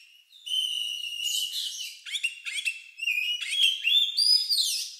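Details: Oriental magpie-robin with an unusual, lovebird-like song used to provoke singing in other birds: sustained whistles, clicking chirps, then rising slurred whistled notes.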